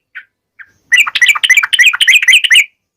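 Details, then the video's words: Yellow-vented bulbul giving a sharp wild-style 'ngalas' chattering song, played to make other bulbuls sing back: two short lone notes, then almost two seconds of fast bubbly, slurred chatter. "KICAU SUARA trucukan gacor NGALAS TAJAM"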